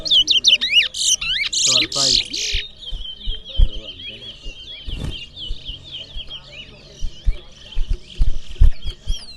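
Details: Large-billed seed finch, locally called towa towa, singing in a bird singing competition in Berbice: loud whistled and trilled phrases in the first seconds, then thinner chirps over crowd noise and a man counting aloud.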